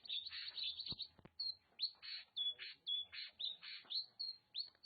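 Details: Oriental magpie-robin (Copsychus saularis) in Nagan Raya, Aceh: lively song run of high whistles and scratchy buzzy notes, several per second, with two sharp clicks near the start.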